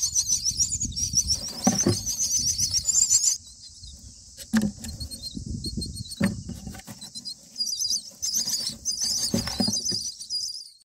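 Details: Nestling Common mynas on day 9, begging during feeding in the nest: a steady, loud, high-pitched rasping chatter in long stretches, broken by a quieter pause, with thuds and rustles of the parents moving around.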